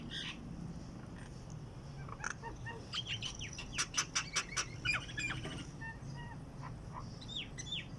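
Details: A wild bird singing outside a window in the morning: scattered sharp high chirps and quick notes, clustering into a brighter burst midway, over a steady low background hum.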